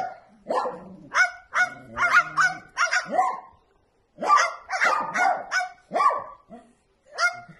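A bird gives loud, dog-like barks in quick bursts, some doubled, with harsh downward-sliding notes, pausing briefly mid-series before resuming.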